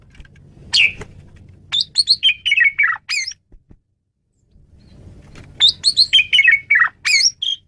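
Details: Male Asian pied starling giving a varied song for luring and training birds: two long phrases of rapid whistled and harsh notes stepping downward, with a low rumbling background noise.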